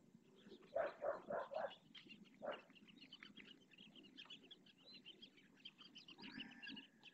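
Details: At Riet Vell reserve, Ebro Delta, a western swamphen parent calls its three chicks to feed: four loud, harsh, nasal calls in quick succession, then one more, while thin high peeping from the begging chicks continues behind.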